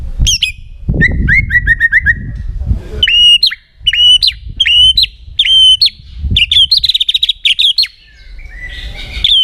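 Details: Actively singing white-rumped shama whose song is meant to prompt other shamas to answer: repeated clear whistled phrases with sharp clicks, a quick series of falling notes, and low background rumble.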